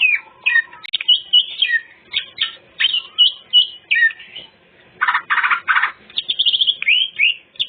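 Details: Greater green leafbird delivering a full, varied song meant to lure other birds; sweet whistled phrases broken by a harsh, buzzy chattering burst midway, then more whistles.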